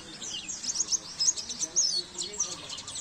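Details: Brief bit of Oriental white-eye song from a masteran recording for training caged birds: thin, very high twittering and squeaky slurred notes in an uneven quick stream.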